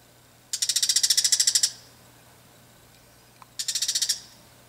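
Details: Evening alarm of a bull-headed shrike in a garden, first warning of a cat close by, then threatening the person filming: a long, fast series of harsh, high clicking notes like striking flint, a pause, then a shorter similar burst.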